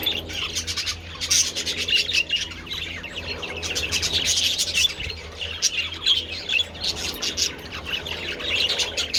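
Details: Budgerigars in the sun eating treats on 27 February, a flock chattering continuously with rapid scratchy chirps and squawky bursts, rising and falling in intensity, a low background hum beneath.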